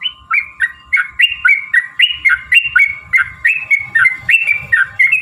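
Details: A sooty-headed bulbul repeats short whistled phrases roughly every 0.4 seconds, about a dozen in a row, in a lure recording meant to provoke other bulbuls into singing, with a faint hum behind.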